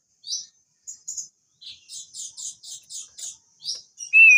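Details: Crested darkeye song meant to coax another bird into a long roll: a quick run of very high, rhythmic chipping notes, closing with one loud, clear rising whistle.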